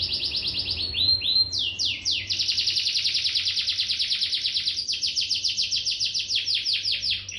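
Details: Domestic canary in Bandung, Indonesia, singing in fired-up gacor style: long chains of rapid, high, sweeping trill notes that shift tempo several times and run without a break for over seven seconds.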